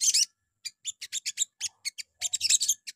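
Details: Sogon morning song as a provoking lure: a short buzzy burst, a series of evenly spaced high chips, then a quick rising chatter at the end.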